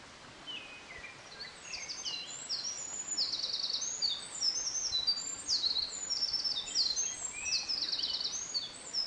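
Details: Eurasian Wren right in front of the recorder near a stream, 24 May 2013, singing competitively after a Japanese Thrush started in the distance. Quiet high notes give way to a long, loud, tumbling stream of rapid trills and chattering runs.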